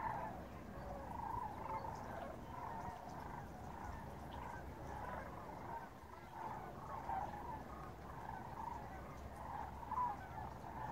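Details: Cranes in flocks passing north over the Rio Grande Bosque, Corrales, New Mexico; many birds give continuous overlapping rattling, trumpeting calls that swell and fade in waves, with low background rumble throughout.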